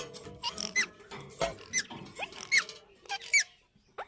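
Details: Rapid run of sharp, squeaky shrieks from Indian ringneck parakeets kept for breeding, roughly one note every second, rising and falling quickly over a steady low room hum.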